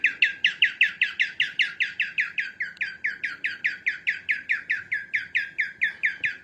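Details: Female cockatiel, for training pet cockatiels: an unbroken, even chatter of harsh, falling chirps, around five per second, sustained for the whole stretch without pause.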